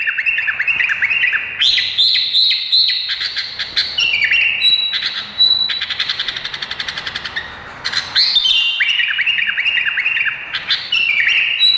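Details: Long varied song from an Indonesian bulbul, mixing rapid rattling trills, clear sustained whistles and descending chattering phrases, delivered continuously and loudly for about twelve seconds.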